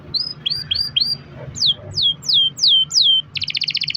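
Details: Canary singing a long roller to spur other canaries into song: hooked rising whistles, then a run of steeply falling slurred whistles, ending in a rapid high rattle.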